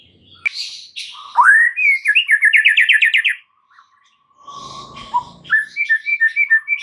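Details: Lure song of the white-rumped shama, used to turn stressed shamas into eager singers: a rising whistle, a rapid trilled rattle of repeated notes, a pause, then a quick series of short chirps.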